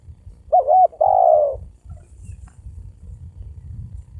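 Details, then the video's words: Spotted dove coo meant to provoke males and females into fighting: a wavering double note then one longer soft falling coo, followed by low background rumble. "Tiếng chim cu gáy kích bổi kích trống mái gáy gù đánh nhau"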